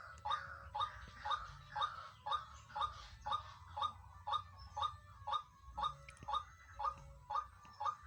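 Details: Wild pair of white-breasted waterhens calling: loud, harsh croaking notes repeated very regularly, about two per second, a steady pulsing series throughout with faint low rumble behind.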